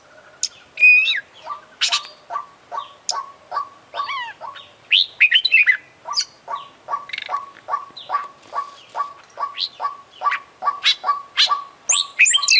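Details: Vigorous oriental magpie-robin song full of mimicked phrases, sung with open beak and spread tail: sharp high whistles and flicks scattered over a long run of low, evenly repeated notes, about three each second.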